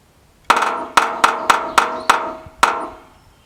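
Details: A male red-breasted sapsucker drums on a steel gutter drain: seven sharp, ringing clanks at an uneven, slowish pace over about two seconds, each with a brief metallic echo.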